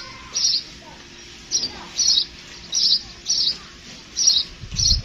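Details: Sparrow giving a series of seven short, bright, high chirps spaced about half a second to a second apart, each a brief harsh burst, over a quiet background with a faint low rumble near the end.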